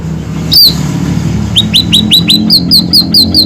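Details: Scaly-breasted munia in full, lively song for bird tutoring: an early high downslurred whistle, a pause, then quick upswept notes that turn into a string of falling whistled notes, with a constant low droning hum behind.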